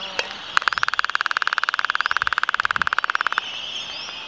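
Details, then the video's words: A Laysan albatross on Midway Atoll, during its mating dance, gives a rapid, buzzy rattle of about fourteen clattering pulses a second for nearly three seconds, with faint high whistles in the background. "Laysan Albatross Mating Dance"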